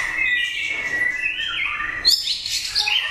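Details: White-rumped shama competition bird, a first-prize winner in an 80-cage contest, gives a long, level clear whistle. It shifts lower, then breaks into higher, rapid twittering notes.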